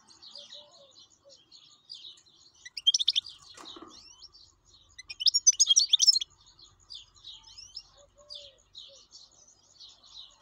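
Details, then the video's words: Wild goldfinch actively singing, with two loud bursts of fast, jangling high twitters. Softer twittering continues steadily between and after them. "حسون بري شغال"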